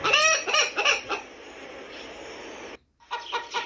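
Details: Hen clucking in a burst of harmonic, nasal clucks repeated several times a second, a quieter hissing stretch, a brief silence, then another short run of clucks.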